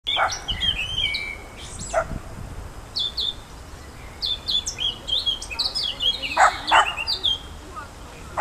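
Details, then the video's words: A Eurasian blackcap sings a lively, varied warble of quick chirps and clear fluted notes, with a few louder bursts near the end over soft background hiss. "Mönchsgrasmücke Gesang - Blackcap singing"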